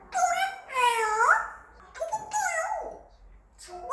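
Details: Five-year-old male African grey parrot kept as a pet indoors, attempting English words: two long, voiced, speech-like phrases with bending harmonics and upward swoops, then a short final syllable in a quiet room.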